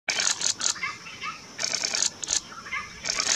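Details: White-hooded babblers, a flock of about 11 with pale-headed parrotbills and brown-crowned scimitar babblers, roadside near Debang forest bungalow, Namdapha, Arunachal Pradesh, India, 6 February 2023; bursts of harsh, hissy chatter mixed with short mid-pitched notes, several times.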